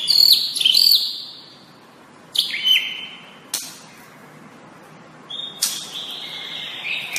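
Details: White-rumped shama master recording for training. Sparse high notes: quick looping whistles, a short buzzy phrase, an abrupt click, then a long, steady, thin whistle near the end, separated by quiet gaps.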